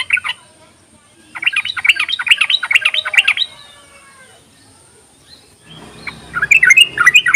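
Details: Yellow-vented bulbul 'ropelan' chatter and call, used as a lure to draw out bulbuls that are reluctant to sing: a short opening burst, then a rapid run of bright chirpy notes, a quiet pause, and louder warbled notes over a low background hum.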